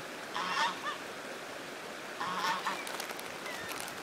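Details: A goose, seemingly distressed after losing a companion, gives two fairly faint nasal honks about two seconds apart against steady background noise.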